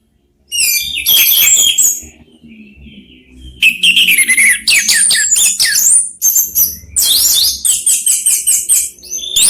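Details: Three orange-headed thrushes dueting: long stretches of rich varied warbling, rapid high trills and whistles, almost unbroken, with a quieter gap near the fourth second.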